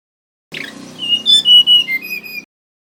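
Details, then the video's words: Male mangrove whistler singing, recorded for luring other songbirds: a brief harsh opening, then pure whistled notes that rise slightly and step down, ending on a level fluting tone, over a low background hum. "Suara Asli Burung Tledekan Bakau"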